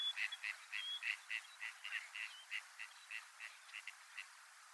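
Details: Gadwall, a winter visitor, during courtship display: a steady series of short nasal, clipped notes, roughly three per second, with a thin high whistle slipped in near the start and middle; calm, quiet background.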